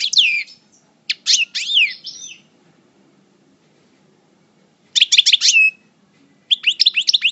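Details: Goldfinch in moult from El Bordj, a Parva coupleur, delivering short phrases of high, downward-sweeping chirps and twitters separated by long silent gaps.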